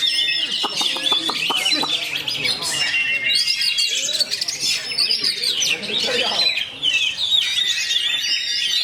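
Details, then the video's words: Kacer (Oriental magpie-robin) pouring out rapid, dense rolling song, known as roll speed rapat: non-stop high twitters and whistles, with a few clicks early on and quiet talking behind. "KACER ROLL SPEED RAPAT"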